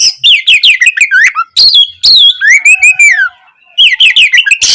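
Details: Oriental magpie-robin singing strongly as a tutor to draw out a silent bird: sweeping whistled notes, a long rising-then-falling slurred whistle, and short chattery phrases, with a silence before a final burst.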